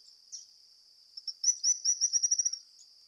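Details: Stripe-crowned Spinetail giving a short, high, accelerating trill of thin notes over a steady high-pitched background drone, possibly insects.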